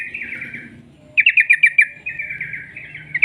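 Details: Long rolling trill of a lively sooty-headed bulbul, meant to prompt other bulbuls to sing: a rattling phrase, a short pause, then a louder run of quick pulsed notes fading into a softer warbling continuation over low hum.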